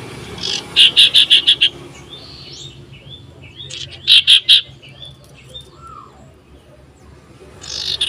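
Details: Common iora singing loudly while seeking a rival, 27 December 2022: two bursts of rapid harsh chattering notes separated by soft whistles, with another rasp at the end.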